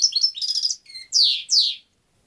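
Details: European goldfinch: a burst of tinkling, chattering song ending in two strong down-slurred, nasal notes, followed by silence.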